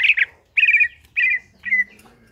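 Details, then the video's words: Greater green leafbird in ngentrok-style song, a reference for training other birds: four separate buzzy, trilled phrases, the last one falling, with short pauses between them. "CUCAK IJO GACOR NGENTROK"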